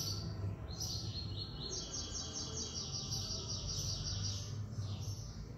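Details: Caged double-collared seedeater from Brazil, a tournament bird that placed third, sings a high, rapid series of repeated bright notes in the third-note fitting style, over a steady low background rumble.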